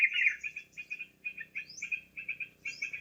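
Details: Lure recording of yellow-vented bulbul for trapping: a loud opening burst, then clipped bubbly chirp groups repeated steadily, punctuated by two thin, sharply rising high whistles.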